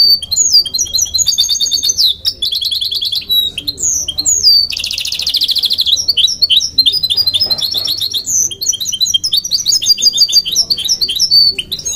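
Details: Song of a goldfinch × canary hybrid: rapid high twitters and trilled runs, then a dense harsh buzzing rattle lasting about a second, followed by more liquid chirps and slurred whistled notes.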